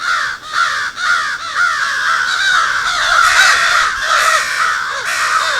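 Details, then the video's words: Several crows give harsh, raspy, agitated caws that overlap in a steady stream, about two per second. They are raising an alarm call at a fox, probably near the recordist's home. "So that was crows doing an alarm call at a fox."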